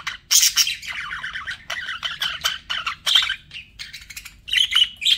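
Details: Pet budgerigars chirping and warbling in a steady stream of rapid, scratchy, buzzy notes mixed with clearer whistled chirps, with a few louder squawky bursts near the start and end.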